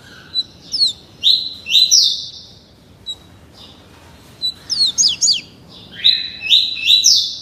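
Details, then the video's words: Young double-collared seedeater, only 30 days old, being tutored in the "tuí tuí Alcântara" song, singing bright, high phrases of quick descending whistles and buzzy trills in two bursts with short pauses between. "COLEIRO FLASH ENCARTADO NO CANTO TUÍ TUÍ"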